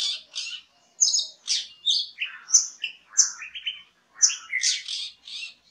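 Oriental Magpie-Robin singing a quick, varied run of high, clear whistles and scratchy chirps in short bursts, with brief pauses between phrases.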